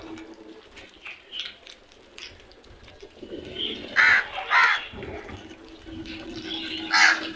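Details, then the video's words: Harsh crow caws, a quick doubled call followed by another a couple of seconds later, with faint chirps and low background noise around them. "Loud noise made by really smart crows"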